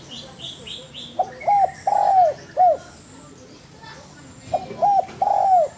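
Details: Spotted dove cooing for a cage-bird training recording: a series of hooked coos with a long slurred croon, repeated after a pause. A few quick high chirps from another bird are heard at the start.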